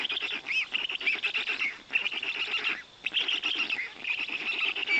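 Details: Feeding time for black stork chicks, given large fish by their father in the Notecka Forest, Poland, 18 June 2021: dense raspy wheezing with brief upward squeaks, broken by a short lull midway.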